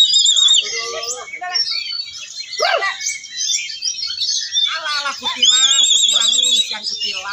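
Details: Competition Oriental magpie-robin (kacer) singing at a songbird contest: rapid, varied whistles, trills and buzzy notes with continuous phrasing and bulbul (kutilang) mimicry. Commentator's voice and crowd noise sound alongside.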